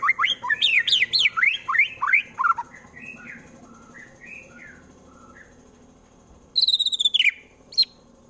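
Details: Caged white-rumped shama, Wonosobo, Central Java, singing a harsh song to goad rivals into fighting: quick jagged whistled sweeps, softer trailing notes, then a burst of high buzzy piping.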